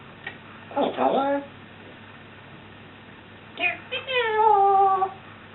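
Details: Pet African grey parrot known for swearing, burping and farting, indoors: two bursts of harsh, speech-like vocalising, the second a drawn-out voice with falling, stacked tones, in a quiet room.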